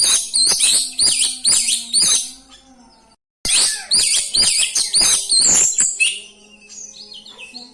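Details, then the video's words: Oriental magpie-robin in a rolling, mimicry-rich song used to stir up rival birds: loud, rapid high chips repeated in fast runs, a short break, then a longer run fading into softer twittering over a faint hum. "ngeroll ngeluarin isian, 💯 Efekti buat pancing emosi, dongkrak 🐦 burung kacer"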